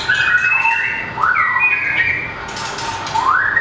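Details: Small, long-tailed White-rumped shama singing in competition, tail flicking and hopping along its perch: slow, mellow whistles that swoop up and down, including long rising slurs.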